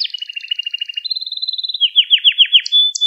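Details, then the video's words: Canary song recorded as a lesson for training young canaries to sing: rapid high buzzy rolls give way to a steady trill, then slower, louder, down-slurred notes and a final thin whistle, with no other sounds. "Ders Gibi Kanarya Sesi Ve Ötüşü"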